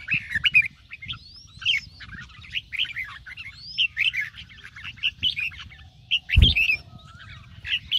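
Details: Morning 'ché' song of a red-whiskered bulbul kept for singing competitions: chirped phrases and upward-curving whistles, with a loud knock at about 6.4 seconds.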